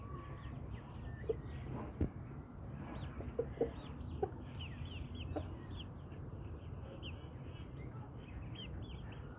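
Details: Brahma breed hens and roosters kept as pet birds. Many short, curved clucking and chirping notes overlap throughout, with a few sharper taps, over a steady low rumble.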